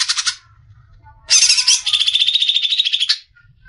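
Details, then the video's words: Greater green leafbird (cucak ijo) singing in besetan style, a recording meant for training caged songbirds. A brief high chatter is followed by a loud, rapid, trilled run of sharp notes that settles into a steady buzzy rattle for two seconds. "SUARA JERNIH,Besetan suara burung CUCAK IJO."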